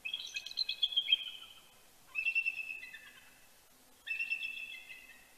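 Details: Before sunrise at Big Bear, California, on 26 October 2019, a bald eagle pair exchanges morning greetings: three high, piping chitter series about two seconds apart, each a fast stuttering string of notes that trails off.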